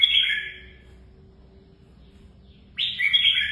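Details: Red-whiskered bulbul trained for competitive singing: a brief bright warbled phrase, nearly two seconds of quiet with a low hum, then another loud, high chattering phrase.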